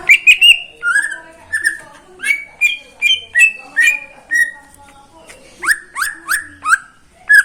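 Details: Caged greater green leafbird belonging to a neighbour, morning song: repeated clicked whistles stepping between higher and lower pitches, followed by several steeply rising then falling notes, with faint low background noise.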